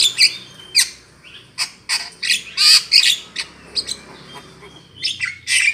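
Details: Javan myna trapping lure call: loud harsh rasps at irregular intervals, interspersed with thin whistles and squeaky chirps.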